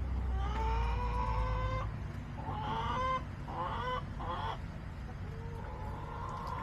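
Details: Backyard chickens filmed on July 17, 2024, with hens giving drawn-out, harmonic, nasal calls around two seconds long, then shorter wavering clucks and squawks in quick bursts, over a steady low background rumble.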